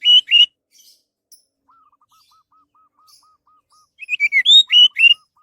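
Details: Orange-headed thrush song, played as a lure to make other birds sing: a loud pair of whistled, slurred phrases at the start, quiet pause with a faint series of soft low notes, then a rapid burst of varied warbled notes.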